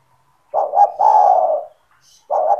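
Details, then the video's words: Actively calling kept spotted dove (tekukur), whose call is played to entice other spotted doves: one phrase of two short notes and a sustained soft coo, then the start of another phrase. "SEMUA TEKUKUR / DERKUKU AKAN TERPIKAT DENGAN SUARA TEKUKUR GACOR INI"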